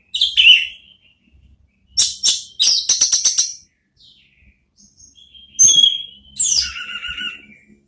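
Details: Orange-headed thrush therapy song meant to prompt a thrush to answer, varied phrases of sharp buzzy bursts, clear rising and falling whistles and short chattering trills separated by brief pauses.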